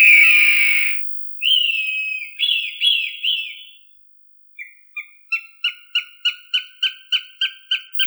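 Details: Hawk calls used to scare off crows, their natural enemy, with crow-repelling ultrasound played alongside: a long, harsh high scream, three slurred descending whistles, a short gap, then a quick run of about ten sharp, evenly repeated piercing notes.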